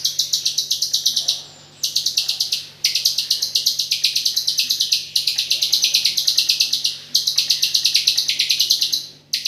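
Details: White-rumped shama singing nonstop with an 'AK47' filler style: rapid, high, staccato machine-gun bursts of sharp notes, each phrase about a second long, separated by very short pauses, with a faint steady low hum beneath.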